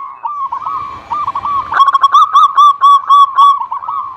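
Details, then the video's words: Zebra dove song for prompting lazy doves: soft, warbling coos over a low hiss, then a loud, even chain of rounded, ringing notes about four per second. "Pancingan Perkutut Anti Gagal Bunyi Cocok Untuk Perkutut Yang Malas Bunyi"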